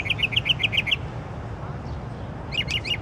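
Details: Songbird singing at night: a quick burst of about eight sharp bright notes in under a second, a pause, then a few similar notes; faint low hum in the background.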